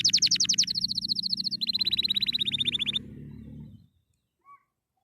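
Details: Canary singing happily: three seconds of fast high trills stepping down in pitch, then the song stops, leaving a low background hum and a single faint note.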